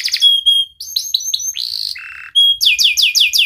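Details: Canary song used as a lure to prompt lazy or silent canaries to sing: a varied medley of sharp high chirps, a short buzzy trill, a lower harsh burst, then a run of rapid falling whistled notes.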